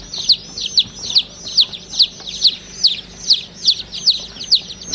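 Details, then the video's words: A group of baby chicks chirping, with louder shrill falling peeps standing out about once a second over softer overlapping cheeps. "Baby Chicks Sound"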